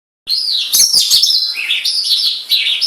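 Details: A tame white-rumped shama sings vigorously while let out of its cage, staying calm rather than flying off. Loud, dense warbling starts abruptly and runs on without a break, with rapid high twittering notes and sweeping phrases.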